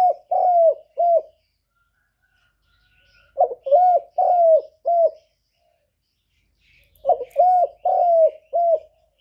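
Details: Spotted dove used as a decoy, cooing to challenge a wild bird. Three repeated phrases of four soft, hollow coos come roughly every three and a half seconds, the third note drawn out and falling.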